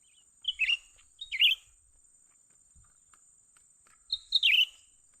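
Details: Young cucak ranting bulbul during trapping: clusters of short descending chirps, two in quick succession and then another after a pause, with light clicks and a high steady hum.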